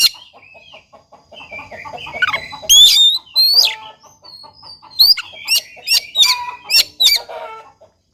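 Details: Oriental magpie-robin song meant to make a quiet bird start singing: loud, steeply sweeping whistles and sharp notes in quick bursts, over a rapid, regular ticking series of lower clucking pulses.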